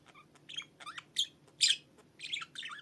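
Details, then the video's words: Pet budgerigar singing on top of its cage on a Sunday morning: soft scattered chirps and short warbled bursts, some rising, with brief pauses between notes in a quiet room. "Muhabbet Kuşlarını Öttüren O Mucize Ses!"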